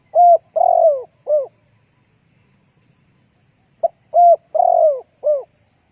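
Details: Spotted dove song used as a decoy to draw in other doves: two low cooing phrases about three seconds apart, each a level coo, a long rough descending coo and a brief falling coo. Silent surroundings.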